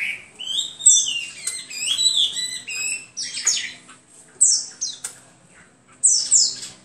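A Hwamei sings rich, varied phrases of loud slurred whistles, rising and falling, with sharp high notes in bursts every second or so.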